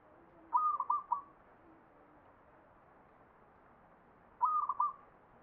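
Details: Ngepat-style perkutut song of the Mataram Jogja standard from a zebra dove: two clipped, rhythmic cooing phrases of several fast notes, spaced almost four seconds apart, with faint low background hum.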